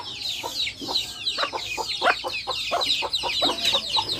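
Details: Backyard hens and chicks: a hen's clucks grow louder and quicker toward the middle while a chorus of high, thin chick peeps continues overhead.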